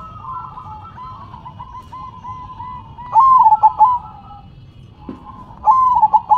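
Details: Zebra dove singing in manggung style, shaking its head: two stuttered coo phrases a couple of seconds apart, with low continuous cooing from other doves in between.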